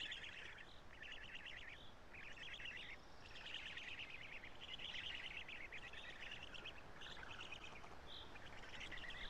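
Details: Black stork young at their nest in Karula on 3 June 2017, being fed by the adult male; near-continuous harsh, buzzy chattering in overlapping bursts with steady background noise.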